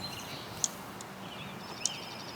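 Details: In late April at a school farm, a Dark-eyed Junco gives two sharp, high alarm chips about a second apart, warning intruders away from its nearby nest by a fence line, over steady outdoor hiss with faint thin bird notes.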